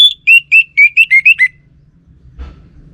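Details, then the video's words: Orange-headed thrush delivering a fast string of eight ringing whistles in about one and a half seconds, stepping gradually lower in pitch, then quiet low background noise with a brief soft noise. "Sekali Dengar Burung ANIS MERAH Lansung Nyaut Gacor Tanpa Henti"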